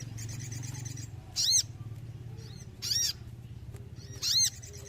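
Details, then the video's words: Sooty-headed bulbul singing vigorously, used as therapy for listless birds: three loud, ringing arched notes about a second and a half apart, between softer rasping chatter and a low background drone. "TERAPI SOGON GACOR UNTUK BURUNG KURANG EMOSI"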